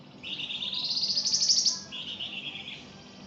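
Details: Flamboyan singing actively for tutoring songbirds: a rising, finely pulsed buzzy trill about one and a half seconds long, followed by a lower, steadier buzzy phrase.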